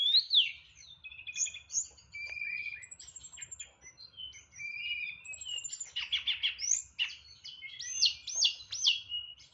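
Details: Hill blue flycatcher, a caged singer with loud volume and full fill phrases in nyeklek style: dense mix of high trills, dotted notes, level whistles and rapid looping warbles; faint low rumble behind.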